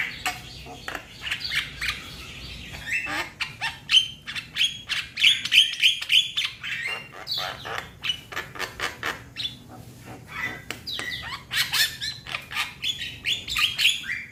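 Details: Young Javan myna calling to its companions, a dense run of harsh, chattering and whistled notes, many short clicks and squawks repeated rapidly, some clear whistles around the middle.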